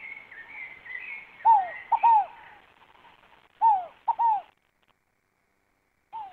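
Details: Scaled dove song, with two full cooing phrases of downward-slurred notes: one note, then a quick short note and a longer one. A third phrase begins at the end, and another bird's thin whistles are heard early on.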